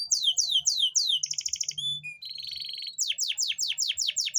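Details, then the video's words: Canary singing to bring reluctant females into breeding condition and stimulate mating; fast descending swept notes, a buzzy rattling trill, short pure whistles, a steady trill, then more quick downward sweeps. "Suara memancing kenari betina susah kawin"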